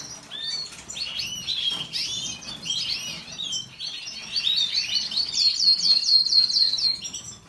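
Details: Canary song: a continuous run of high twittering and warbled phrases, ending in a fast trill of repeated rising notes around five seconds in, with the loudness swelling and falling.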